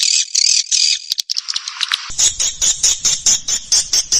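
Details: Swiftlet calling and roosting sounds used to attract swiftlets in Indonesia: shrill buzzy twitters, then a quick pulsed series of high clicks, about two per second, over a low rattle.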